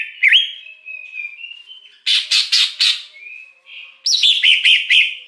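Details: Lure recording of a wild greater green leafbird: a twisting whistle and level tones, then four harsh buzzy notes. A string of rapid descending whistled notes closes the phrase.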